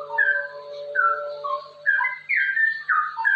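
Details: Straw-headed bulbul in rapid ropel song, a recording meant to encourage other bulbuls to join in singing; loud mellow whistled phrases, some slurred downward, in three or four bursts separated by short gaps.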